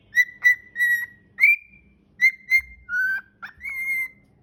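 A cockatiel sings a run of clear, bright whistles, some held steady and others sliding upward.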